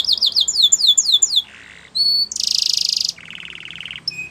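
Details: Yellow canary training song with six falling whistles, a low buzzy rattle, a short high note, a loud harsh trill and a lower rolling trill.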